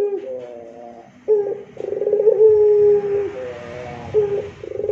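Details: Rintihan moaning song of an actively singing puter pelung dove: short purred bursts, then a drawn-out, even, low coo lasting over a second. The pattern repeats, with a faint hiss behind it.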